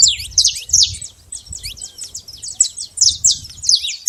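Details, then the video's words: Wild, free-living saffron finch delivering a dense, continuous string of bright, high chirps and short slurred notes with barely any pause. Faint low background noise. "canário da terra livre na natureza"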